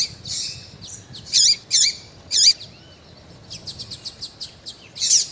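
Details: Female double-collared seedeater calling and peeping in heat to stimulate a male; harsh high chirps with curling tails, then a quick run of thin ticking notes and a final chirp.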